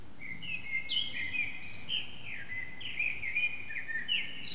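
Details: Backyard echo carries the song of a hidden Eurasian blackbird at roughly 4:30am, recorded with an HTC Desire: a lively, continuous series of clear, falling fluted whistles with sharp high twitters mixed in.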